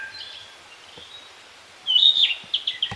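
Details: Wild Narcissus flycatcher in leafy spring woodland of Kita-Harima, Hyogo Prefecture, Japan: faint thin notes, then a loud clear whistled phrase breaking into a string of quick repeated chirps near the end.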